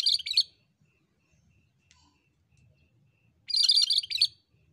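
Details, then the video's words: Cucak kerinci bulbul singing strongly: a chattering phrase ends, a long gap follows with faint soft sounds, then another burst of rapid, scratchy high notes. "BURUNG KURINCI ‼️MASTERAN BURUNG KERINCI GACOR DURASI PANJANG"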